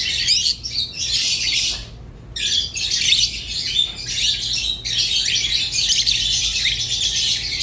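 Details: Budgerigar warbling steadily in scratchy, chirping phrases, with one clear pause near the start, then continuous chatter and a faint steady tone in the background.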